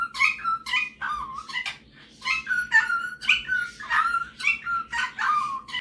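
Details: Captive male superb parrot singing and mimicking: bursts of warbled, chattering phrases with whistled slurs, roughly two per second, separated by short pauses, in a quiet room with a faint steady hum.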